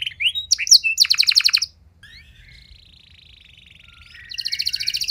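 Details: Canary song used to stimulate other canaries: loud chips and a fast trill, then a quiet, thin, wavering trill for a few seconds before a loud rapid trill resumes.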